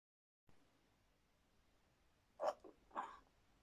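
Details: Grey parrot (Psittacus erithacus) mimicking kissing sounds: two short, wet smacking bursts about half a second apart after a quiet stretch of faint room hiss.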